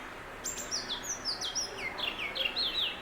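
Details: Oriental magpie robin song, from a bird said to sing from treetops at dawn and dusk in a city: a quick run of clear whistled notes slurring downward, varied pitches, over low background hiss.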